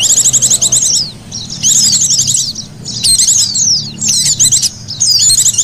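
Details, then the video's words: Oriental white-eye calls used for luring: short bursts of bright, rapid trills and slurred chirps, separated by brief pauses, over a soft low rumble. "SUARA PIKT BURUNG PLECI PALING AMPUH...."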